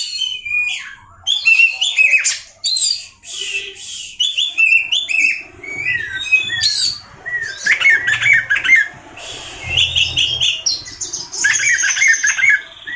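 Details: Oriental magpie-robin, a kept songbird, giving a fast rich song of sharp whistled notes, chirps and rapid slurred phrases, nearly unbroken, with faint low rumbling in the background.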